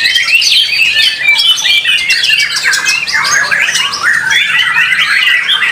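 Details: White-rumped shama performing at an Indonesian singing competition; a rich, nonstop medley of clear whistles, quick trills and scratchy notes, rising and falling throughout.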